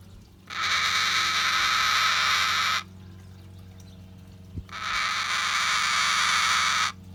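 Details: Relaxing captive cockatoo gives two long, rough, noisy screeches of about two seconds each with a pause between them, both flat and sustained, and a single soft click in the gap; faint hum underneath.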